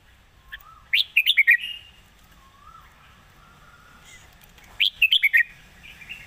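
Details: Red-whiskered bulbul, a young rising-star bird praised for good phrasing and a light voice, sings two quick bursts of three or four bright chirping notes about four seconds apart, with a faint low rising whistle in between.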